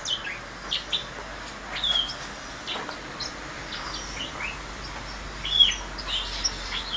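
Several grass parakeets give short, high chirps and thin whistled notes in scattered, overlapping bursts against a steady background hiss.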